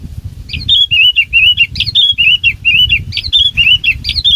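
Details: Bulbul used as a decoy bird for trapping, singing a quick series of short, liquid warbled whistles, each with a sharp upstroke, repeated steadily for several seconds over a low background rumble.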